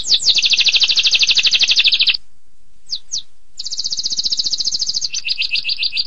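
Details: Long-duration 'tembakan pedas' canary song: a rattling, high-pitched trill of rapid repeated notes, a short gap broken by two quick chirps, then a renewed trill that drops to a lower, choppier phrase.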